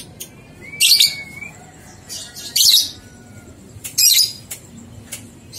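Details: Lovebird ngekek song for training two-month-old young birds: three loud harsh chatter bursts about every 1.6 seconds, one preceded by a thin rising whistle, with sharp clicks between.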